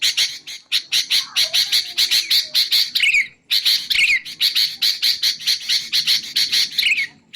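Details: Sooty-headed bulbul used to lure its own kind and to tutor songbirds: dense, scratchy chattering notes, broken by a brief pause, with a few quick falling whistles woven in.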